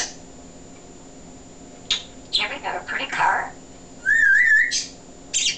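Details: Chatty male African grey parrot kept as a pet, talking session: a few muffled speech-like syllables, then a clear wavering whistle that rises and falls for half a second, ending in short sharp squawks.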